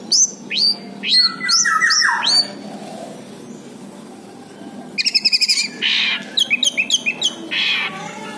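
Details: Orange-headed thrush song used as a lure for birds that stop singing: clear descending whistled phrases, a pause, then rapid stuttering repeated notes and buzzy bursts over steady background noise.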